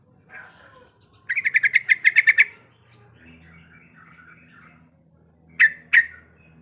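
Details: Breeding-condition female sooty-headed bulbul calling for the male: a soft opening note, then a quick rattling burst of sharp chips, a few quiet warbled notes, and two loud abrupt chips near the end, over low background hum.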